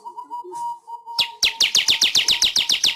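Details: Weaver master song for training pet birds: a steady thin whistled tone, then a fast run of harsh, buzzy, downslurred notes repeated about four times a second.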